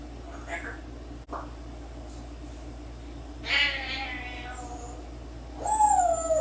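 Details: A 10-year-old pet African grey parrot at home that talks, whistles and sings; after quiet room hum, a short harmonic vocal burst is followed by a clear, loud falling whistle near the end.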